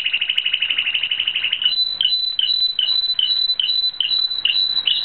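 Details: Spanish Timbrado canary in training, singing a fast metallic trill of rapid repeated notes near the top of its range, breaking into evenly spaced short chirps about every half second.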